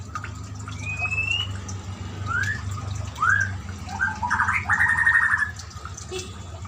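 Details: White-rumped shama song over steady running water, meant to stimulate a silent caged shama: scattered upslurred whistles and a short rapid trill above a loud low water rush.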